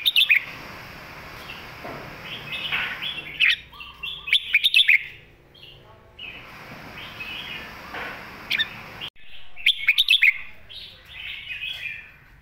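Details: Red-whiskered bulbul singing its master song clearly as a model for young birds: repeated bursts of bright, chattering warbled phrases, each separated by short pauses, with sharp clicks mixed in.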